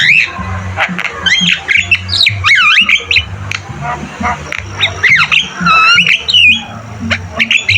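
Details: Javan myna (jalak kebo) in energetic song for cage-bird training: repeated loud squawks and swooping whistled notes, some looping, in quick bursts with brief pauses, over a steady low hum.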